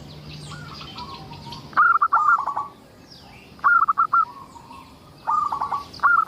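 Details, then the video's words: Singing local zebra dove, its song played to lure others of its kind into calling; a soft low note first, then three bright bursts of fast stuttering coos with a sustained ending, faint background chirps. "Suara indah perkutut lokal gacor untuk pancingan"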